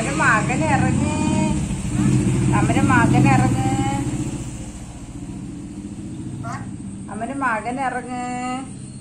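A black-capped lorikeet gives a few word-like bursts of mimicked speech, higher than a human voice and coming in short phrases, over a steady low engine rumble.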